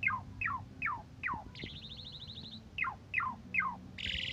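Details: Asian pied starling singing in morning and evening condition, used as a model for training other songbirds: descending slurred whistles repeated about every half second, broken by a buzzy harmonic trill and a final harsh burst, over a low steady hum.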